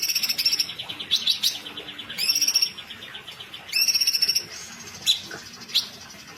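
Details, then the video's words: Sooty-headed bulbul female, kept as a songbird, in lively full voice: rapid, bright, rattling trills of closely repeated high notes, each burst about half a second long, separated by short gaps, plus two sharp single notes near the end. "Cucak Cungkok Betina Gacor, Tembakan Rapat"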